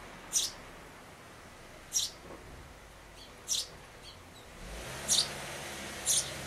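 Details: Sparrows at a nest box on 11 May 2012, one day before the chicks fledged, with large chicks peering from the hole and parents coming and going as if urging them out; short sharp chirps sound about every one to two seconds over soft hiss.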